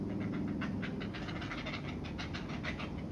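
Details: Great blue heron chicks in their nest while feeding beg with a rapid, harsh ticking chatter, about three or four pulses a second, over a steady low rumble.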